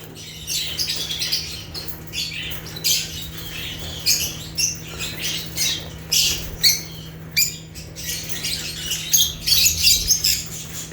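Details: African lovebirds chirping: dense, continuous high-pitched chatter of sharp squeaky chirps and short squawks from several birds, overlapping without pause, over a steady low electrical hum.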